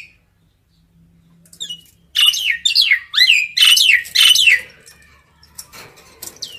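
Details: Common myna calling to the flock with a burst of loud, harsh, descending squawky whistles, followed by fainter clicks.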